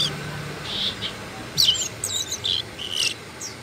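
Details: Asian brown flycatcher (Muscicapa dauurica): thin, high squeaky notes and short sweeping whistles scattered through a few seconds, with a faint insect-like hiss in the background.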